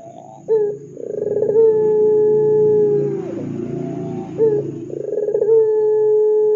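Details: Lure call of a ringneck dove meant to make other doves answer: two long, level, hollow coos, each introduced by a sharp upward flick and a buzzy trill, the first dropping off at its close. A low hum sits underneath.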